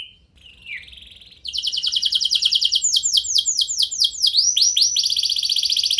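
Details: Canary song used to draw responses from other canaries; a soft single note and brief warble, then a loud dense trill with swooping whistled syllables rolling on to the end.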